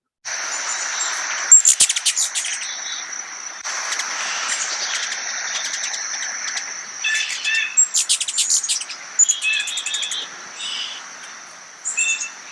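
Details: Ruby-throated Hummingbird feeding on nectar, with pollen on its face, giving quick, very high, thin chips in short bursts over a steady high whine, with harsher lower calls of a Blue Jay mixed in.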